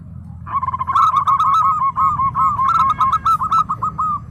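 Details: Local zebra dove in full song, delivering a fast, dense stream of clipped mid-pitched coos with slight up-and-down inflections, some notes overlapping, over a steady low background rumble.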